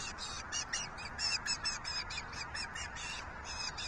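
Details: Juvenile osprey viciously attacking a sibling, June 6, 2023: loose series of harsh, high-pitched squealing chirps, irregular in timing and loudness, with steady background hiss.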